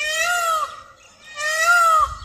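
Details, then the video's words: Indian peafowl calling from a tree near a farm in India, with another calling from the other direction; two loud, drawn-out nasal wails, each slightly arched in pitch with rich harmonics, separated by a short pause. "बहुत ही अच्छा साउंड आता है मोर का।"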